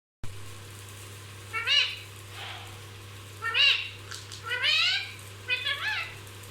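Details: Pet parrot said to talk nonstop, giving four separated harsh, harmonic calls that arch up then down, spaced about a second apart with quiet gaps, over a steady low electrical hum.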